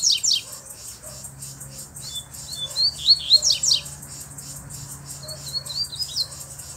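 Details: Firm, fight-provoking song of a black, bluish-white-billed double-collared seedeater: opening steep sweeps, then wavering high whistles, more sharp sweeps, and a closing run of slurred notes.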